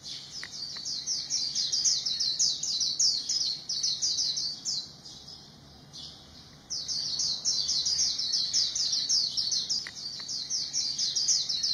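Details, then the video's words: A white-eye pours out a long, rapid, high-pitched twittering song in fast trills, stopping briefly midway before resuming, with no other sounds standing out. "Zosteropidae bird singing, good voice"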